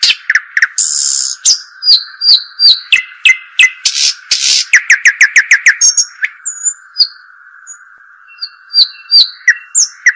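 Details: European robin pouring out a long varied song, with high whistles, a fast series of repeated downslurred notes and scratchy trills, a short pause, then more thin whistled phrases, over a steady hum.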